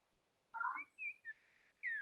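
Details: Yellow-backed oriole (Icterus chrysater) song, a regional dialect typical of the Antioquia mountains, Colombia: a rich warbled note, then clear slurred whistles ending in a falling whistle, over faint room hiss.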